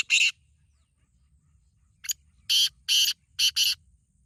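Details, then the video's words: One harsh note from a black francolin, a quiet gap, then a phrase of five coarse, rasping notes, paired and buzzy. "Black Teetar Voice/Kala Teetar ki awaz"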